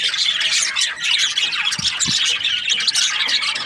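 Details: Breeding-season budgerigars giving a lively chorus of rapid high-pitched chirps, twitters and squawks, densely layered and even in loudness from start to finish.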